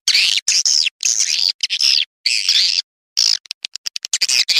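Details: Swiftlet call used as a lure to draw swiftlets: bursts of sharp, buzzy chirps and twitters, some in quick strings of short clicks, separated by brief silences.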